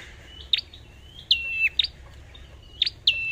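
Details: Caged lure red-whiskered bulbul giving bright whistled notes: quick upward-flicking syllables, some sliding down into a short level whistle, spaced irregularly over a few seconds against faint low hum.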